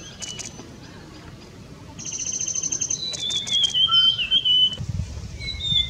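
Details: A sibia sings in the high Himalayas: thin, high chirps, then clear whistled notes held level before slurring down. A soft low rumble runs underneath.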